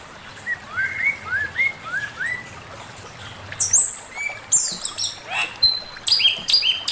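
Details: Male Chinese hwamei master song: five clear upslurred whistles, evenly spaced, then a pause and a run of high piercing notes and sharp, flat whistles toward the end.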